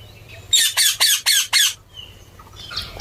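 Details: Ringneck parrot gives five harsh, raspy squawks in quick, even succession, then falls silent apart from faint chatter.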